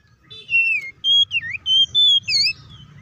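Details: Oriental magpie-robin, a kept songbird, singing loud clear whistled phrases, some steady and some dipping or rising, in a rapid string of about six notes, used to provoke other magpie-robins to sing; low background hum.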